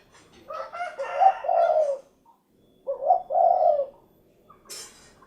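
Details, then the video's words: Derkuku, the spotted dove, giving two rich cooing phrases about two seconds apart, the first fuller and buzzier, the second a clean short note into a longer coo, then a brief hiss. "SUARA BURUNG DERKUKU / CUKURUKUK KUK GERUK"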